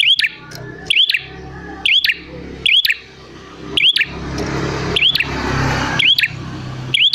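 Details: Lure recording of a calling prinia to provoke replies: snapping clicks with upswept whistled notes repeated about once a second, over a rising wash of broad background noise midway.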